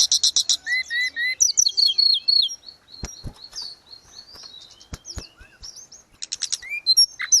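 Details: Caged grey-cheeked bulbul recorded as tutor audio for other cage birds, singing lively high phrases: quick stuttered trills, slurred whistles and clipped notes, with a softer middle stretch broken by a few sharp clicks.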